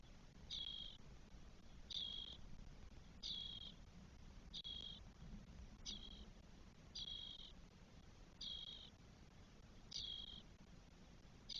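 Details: Spotless starling nest in Spain on 1 June 2022 holding four chicks at 12 days old. Hoarse hissing calls come in a loose rhythm roughly every 1.3 seconds, with a faint low drone behind.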